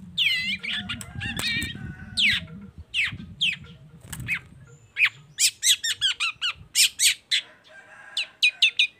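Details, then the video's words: Long-tailed shrike (cendet baham) song used to lure other shrikes into singing; varied harsh and whistled notes, then a rapid series of sharp clipped high notes repeated in quick runs, over a low hum. "PANCINGAN CENDET BAHAM EFEKTIF BUNYI SANGAT COCOK BUAT CENDET LAINYA AGAR IKUTAN BUNYI"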